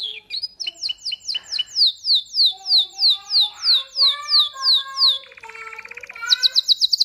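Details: Canary song with a steady run of loud, sliding whistled notes repeated about three per second, then a buzzy rattle and a fast, rapid trill to finish.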